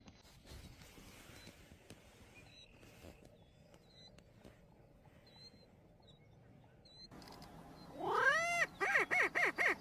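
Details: Prairie chicken in Iowa: about eight seconds of near quiet with faint high chirps, then loud nasal calls that swoop up and down with rich overtones, followed by a quick run of short, evenly spaced repeated notes.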